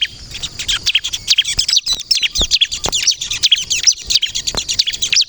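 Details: Ciblek kristal, the bar-winged prinia, singing nonstop as a luring call: tightly packed, high, jittery twitters and squeaky loops in a continuous stream.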